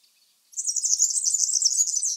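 European Serin song: a rapid, very high, sizzling jingle of glassy notes, delivered in one continuous tumbling burst after a brief silence.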